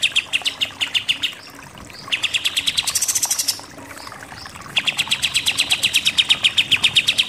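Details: Contest-bird tutor recording of Pied triller in the shooting 'nembak' style: strings of rapid, clipped notes, a high buzzy rising passage in the middle, then a long fast run of repeated notes.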